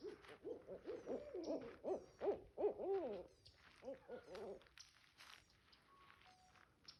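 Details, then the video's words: Barred owl, or hoot owl, in a backyard, giving a rapid run of arched, mid-pitched hooting notes for about four and a half seconds, loudest near the middle, then fading into quiet background noise. "Barred Owl (Hoot Owl) In Our Backyard"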